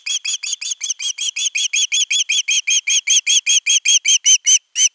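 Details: Nest-camera Osprey chick, 10 August 2021, crying out for fish: steady string of piercing, harmonic chirped notes close to three per second, ending with a brief gap and two final calls.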